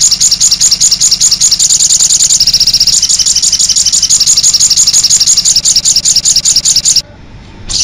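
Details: Sogok ontong (little spiderhunter) lure recording: rapid shrill chipping, roughly two to three bursts per second, with a brief change in tone partway through, then cutting off suddenly before a short quiet end; a low hum underneath.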